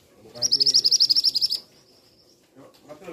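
A male scarlet minivet gives a quick run of about a dozen high, sharp notes in just over a second, then a thin drawn-out whistle, with faint low murmuring beneath.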